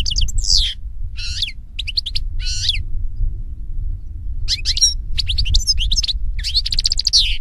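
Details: European goldfinch singing in nature, short groups of sweet, tumbling high notes separated by gaps, then a longer stretch of rapid twittering and trills, heard against a constant low rumble.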